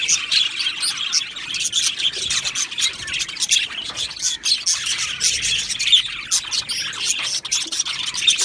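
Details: Aviary budgie colony of Australian parakeets chattering: a steady wash of bright, scratchy chirps and short warbled notes, many birds calling over one another throughout.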